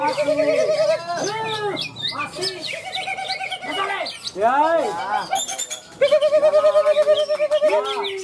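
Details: Green leafbird, a best-in-class winner at a songbird contest in Malinau, North Kalimantan, gives loud, varied whistled phrases rising and falling in quick succession, among competing songbirds, applause and voices.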